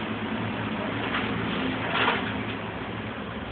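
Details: Continuous muffled indoor noise with a faint voice-like swell near the middle and no distinct animal call.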